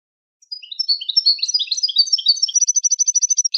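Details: Goldfinch teaching song: a lively jumble of high twittering notes that settles into a rapid, evenly repeated metallic trill to the end. Nothing else is heard.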